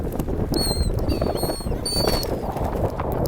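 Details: A seagull on a sandy beach by the sea, near people, gives drawn-out, high, level squealing notes, three in a row about half a second each, over constant heavy surf noise.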